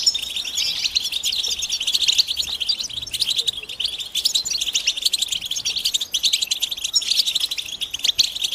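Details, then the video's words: A flock-like chorus of European goldfinches gives mating and readiness calls to stimulate males to sing. Fast, high, tinkling chirps overlap densely, with brighter notes breaking through at intervals. "بتبتة جماعية رهيبة لتحفيز الحسون على التغريد والهيجان"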